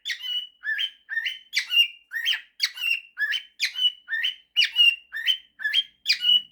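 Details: Male cockatiel, a pet, singing a mashup of 'September' and 'If you're happy and you know it': steady series of scratchy rising notes each ending in a brief whistle, evenly paced throughout.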